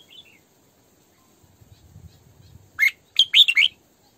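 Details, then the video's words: Decoy female Red-whiskered bulbul: a few faint whistles are followed by a loud, bubbling phrase of four quick, rising and falling whistled notes in 'sổ bọng' style. "Tiếng Chim Chào Mào Mồi Hót Sổ Bọng Căng"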